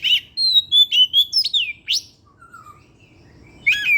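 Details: Kept Oriental magpie-robin singing in the afternoon as a lure to stimulate other birds. A run of clear, level and falling whistles, about six notes in quick succession, pauses for a soft low slur, then a final buzzy note.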